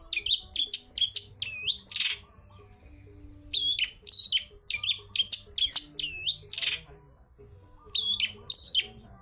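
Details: Lively wild-style singing of a long-tailed shrike, meant to coax other shrikes into song: a varied string of short, high chirps, sharp upslurred whistles and rasping notes in quick bursts, over a faint low hum.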